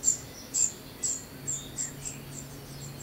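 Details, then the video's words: Common cuckoo chick calling while being fed, giving quick, very high, hissy notes at uneven intervals. They come louder at first, then softer and more crowded, over a constant low hum and faint mid-pitched chirps. "Imbeccata Al Giovane Cuculo"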